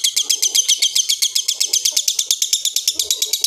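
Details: Rough ngekek trill from a lovebird that winds down slowly: a steady stream of harsh, high chattering notes repeated quickly and evenly, with faint low background rustling.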